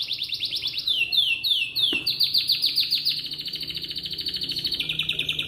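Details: Atlantic canary song in the morning, played to set other canaries singing: rolling high trills and quick downward-sweeping notes, about three or four per second, ending in a steady lower buzzy trill.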